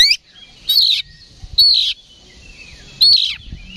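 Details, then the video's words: Oriental magpie-robin in full fighting song, used as bait to provoke rivals; three loud, well-spaced bursts of sharp whistled notes sweeping downward, with quiet pauses between them. "KACER GACOR NGEPLONG TARUNG !! PANCINGAN KACER PALING AMPUH BUAT MENAIKAN EMOSI KACER AUTO RESPON"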